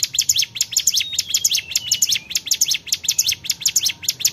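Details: Bar-winged prinia, locally called cigun, singing vigorously: a fast, steady stream of high, sharp chirps and downward-sweeping notes, about two per second, with occasional thin whistled tones over faint low background hum.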